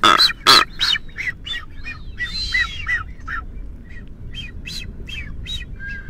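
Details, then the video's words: Nesting male blue-footed booby on the Galapagos Islands giving a shrill call, a rapid series of harsh, squawking notes repeated almost three times a second, recorded with a parabolic dish microphone. "Shrill of Nesting Blue Footed Booby"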